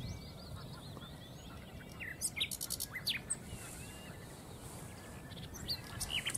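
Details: A common nightingale (Luscinia megarhynchos) in Castricum, the Netherlands, sings a rapid burst of about ten sharp, repeated notes, then scattered whistled phrases, over a low steady rumble.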